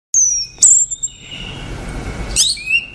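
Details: Orange-headed thrush singing a short phrase of high, clear whistled notes, one sliding down, then a sharp chirp and a pause filled with a lingering echo before a final thin rising whistle.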